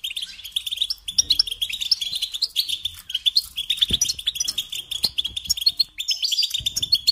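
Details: Song of a European goldfinch for teaching young birds: dense, almost nonstop twittering of tinkling chirps and rolling trills, lively and rapid throughout.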